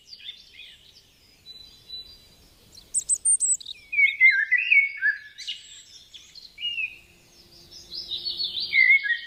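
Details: Birds singing in a garden: soft twitter at first, then louder bursts of rapid chirps and warbled phrases with downward-sliding notes, ending in a high sweeping trill.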